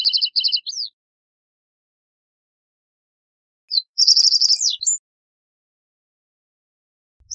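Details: Two song phrases from a reed bunting about three seconds apart, each a stutter of short high chips, a fast buzzy run and falling slurred notes, closing on a short thin note.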